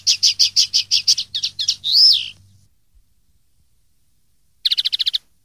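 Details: Linnet song recorded in 2013 for teaching young birds: a quick series of high chirps ending in a buzzy, wavering note, then silence before a short, fast burst of clicking notes.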